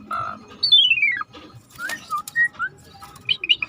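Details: Rare starling in a river-sound training recording: a buzzy harsh note, then a long descending whistled glide, scattered short whistles and clicks, with steady running water underneath.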